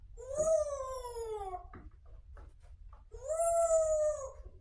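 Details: Grey parrot talking indoors in a sweet voice: two drawn-out tonal, voice-like calls, each about a second long and gently falling then level, separated by a short pause with soft clicks and rustles.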